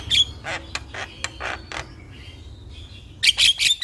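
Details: Javan myna vocal recording used to coax a silent myna into singing: loud raspy squawking bursts in quick succession, a pause with faint thin whistles, then another cluster of harsh, piercing notes.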